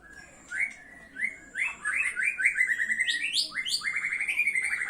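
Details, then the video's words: White-rumped shama pouring out a rich song: clear upslurred whistles that speed into rapid repeated notes, then sweeping rising phrases and fast trills. The song grows louder and busier toward the end. "murai batu pastol mutah materi"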